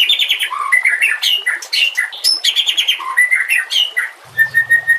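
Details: White-rumped shama training song: a busy stream of varied whistles and chattering notes, ending with a steady whistled tone over a low buzzing hum.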